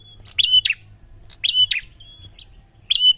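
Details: Prinia song played to stir a lazy bird into responding: bright stuttering chirp phrases with a level whistle in each, about every 1.3 seconds, plus a thin high whistle and a brief note between.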